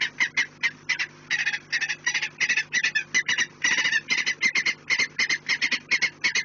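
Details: Peregrine falcons at a nest on an Orlen industrial chimney in Płock, Poland, on 4 March 2019 at 16:28; rapid series of harsh, grating notes in bursts, dense repeated cackling with a steady low hum behind.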